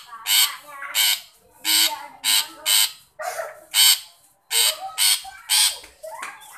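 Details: Long-tailed shrike giving harsh, grating, broadband calls, sounding to draw out a shy shrike. About eleven rasping notes arrive in loose pairs and threes over six seconds, with quiet gaps between.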